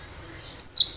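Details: Wild-caught cinereous tit in vigorous song, used as a lure for other birds, with one high thin whistle and then a rapid cluster of falling chirps.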